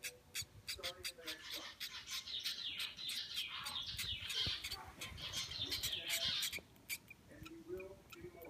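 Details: Two hand-fed zebra finch chicks, aged four and three days, begging while being fed by hand: rapid, scratchy high chirps repeated about three times a second, with some soft handling noise and faint speech in the background.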